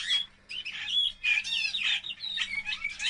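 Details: Young kept canary, two months old, just begun singing after training with MP3 recordings; a short burst of scratchy, squawky notes and brief twittering trills, broken by short pauses.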